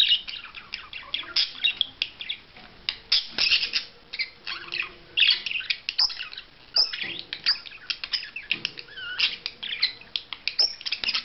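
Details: Budgerigar performing a courtship display, chattering in lively bursts of squeaky warbles, chirps and clicks, with brief pauses between the louder phrases.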